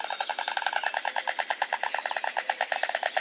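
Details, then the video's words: White stork bill-clattering at a nest in Nowy Kamień, Poland, on 20 May 2016, the day the third chick hatched: a fast, dry, wooden rattle of about ten clicks a second, held steady with no other sounds. "Third baby stork. Wig, frog and a lot of rattling"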